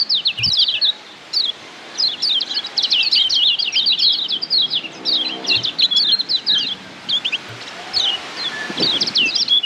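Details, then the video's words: White-eye from Lombok (kecial kuning) giving padangan tutor song for caged-bird training: brief opening twitters, then a long burst of fast high chattering notes, pauses, and scattered final phrases. "Masteran Kecial Kuning PADANGAN Ampuh Bikin Kecial Cepat NEMPEL"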